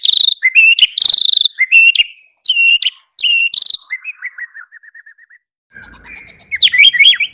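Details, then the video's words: White-rumped shama of the Medan type, sung as a clear lure song for prompting other shamas: loud varied phrases of whistles and sharp chirps, then a quick descending run of short notes, a pause, and rising whistled notes. "Pancingan Kicau Murai Batu"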